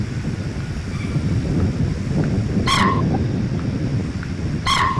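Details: Two abrupt, clipped Common moorhen calls, roughly two seconds apart, rising out of a constant low-pitched background rumble.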